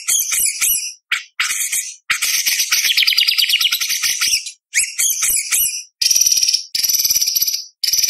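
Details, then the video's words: White-rumped shama in full-repertoire contest song used to tutor spotted juveniles: rapid varied phrases, chattering rattles, a long high buzzy trill, then sharp bursts and harsh fast notes separated by short pauses. "Murai Batu Gacor Full Isian ~ Full Tembakan Materi Lomba - Masteran Murai Trotol Tembak Beset Roll"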